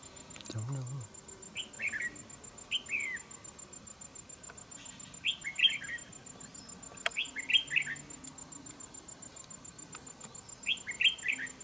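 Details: Red-whiskered bulbul (Pycnonotus jocosus), song: challenging a rival bulbul, used to lure it into a trap.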